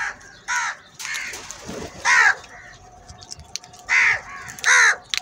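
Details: Crows in a large group fighting over food: loud, harsh caws spaced irregularly, some doubled, with quieter calls and background chatter between them.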